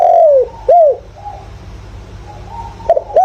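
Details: Captive decoy spotted dove in 'giọng thổ' voice luring wild birds: a long downward-sliding coo then a short bowed coo, a stretch of faint distant cooing, and the start of a further loud coo.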